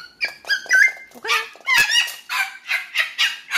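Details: A seven-month-old pet blue-eyed cockatoo hybrid, female, indoors, bursting into wild play after eating grapes: a run of harsh, rasping squawks and chattering screeches, many short loud bursts repeated about every quarter second.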